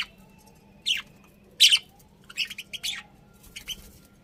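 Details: Budgerigars at home utter scattered high chirps, a few loud sharp notes followed by softer twittering, separated by short pauses over a faint steady hum.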